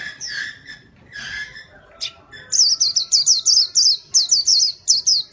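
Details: White-eye in lively, vigorous song used for luring birds: a few lower, scratchy chirps open, then a fast run of sharp, very high tinkling notes repeated in quick clusters through the second half.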